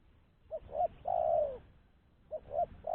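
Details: Lure call of a spotted dove for trapping others of its kind: a soft note, a second hoot, then a long mellow coo that sags in pitch, and the next phrase just starting at the end.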